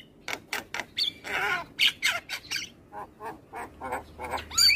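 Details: Black-winged starling song recorded in the morning for training other birds: harsh squawks and chattering notes repeated in rapid bursts, with a few rising whistles mixed in.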